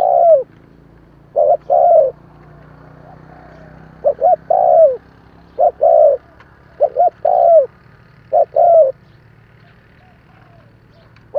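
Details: Spotted dove giving about six coo phrases, a recording for prompting newly caught doves to call. Each phrase is one or two short hoots, then a longer downward-sliding coo, spaced a second or more apart over a continuous low hum.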